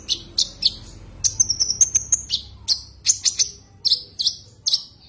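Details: Common iora calling a rival: sharp high chirps in quick pairs, then a long thin whistled note near the middle, followed by evenly spaced bright downslurred chirps about every half second; quiet background.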